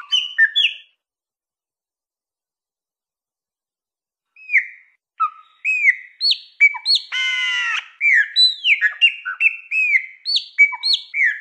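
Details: Wild chopi blackbird singing in the 'mateiro mineiro' style: clear slurred whistled notes, a pause of about three seconds, then fast varied whistles around a harsh buzzy burst, with quick downslurred phrases repeating to the end.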